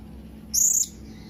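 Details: A blue-crowned hanging parrot gives a single shrill, high-pitched whistle of about a third of a second, calling out to its companions; a faint low background hum.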